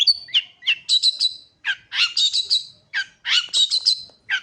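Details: Long-tailed shrike singing energetically, a varied run of harsh chattering notes and squeaky whistles in short bursts, each phrase a cluster of rasping syllables separated by brief gaps.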